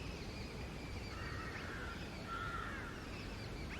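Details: Female Alexandrine parakeet calling naturally from the top of a tree gives two harsh, drawn-out, nasal calls about a second apart, over a steady low rumble of background noise.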